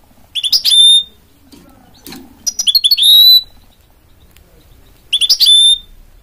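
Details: A goldfinch mule (goldfinch-canary hybrid) repeats three short phrases every two to three seconds. Each has a stutter of quick chirps followed by a sustained, high, pure whistle, with faint rustling between.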